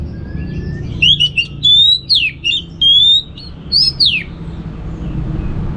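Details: Kept orange-headed thrush from Singaraja, Bali, delivering a rich, varied whistled song of short looping phrases, some sweeping up, others slurred down, in a rapid run over about three seconds; faint steady background hum.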